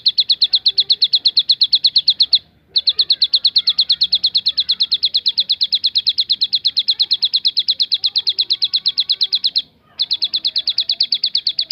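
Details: Bar-winged prinia performing the 'tembakan' variation: a steady stream of quick, high, identical ticking notes, broken by two brief pauses before resuming at the same fast pace.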